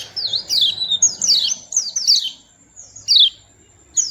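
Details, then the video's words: Small white-eye, noted for its sweet voice, utters high, slurred twittering notes in quick pairs, then a pause and a couple of isolated sharp chirps. "Tingkah Lucu Burung Kecil Pleci Bersuara Merdu"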